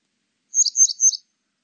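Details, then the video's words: Grey wagtail giving three quick, sharp, high-pitched double notes in under a second against a silent background. "노랑할미새, 여러번 듣기, 곤충소리, 새소리"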